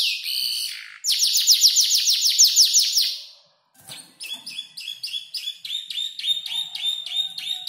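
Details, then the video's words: Canary about five months old copying ciblek, klik-klik and prenjak lumut songs while arranging its own; a fast high buzzy trill, a brief silence, then rapid repeated sharp chirps in quick succession. "Kicau burung kenari gacor noto lagu U 5 bulan"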